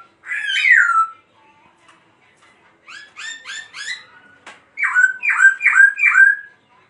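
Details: Laughingthrush's dancing song with a loud slurred whistle, a pause, a series of harsh buzzy pulses, then four quick rich whistled phrases falling in pitch.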